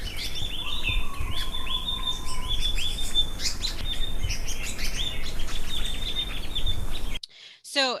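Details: Mauritius paradise flycatchers, endemic to Mauritius forest, in breeding season with several pairs: quick, sweet, agitated twittering in high falling notes, a male singing behind, and a lower drawn-out whistle joining briefly near the start.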